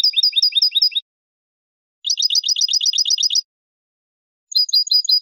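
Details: European goldfinch giving a basic 'bibleo martilleado' song phrase: rapid, hammered series of high tinkling notes delivered in three short bursts separated by silence.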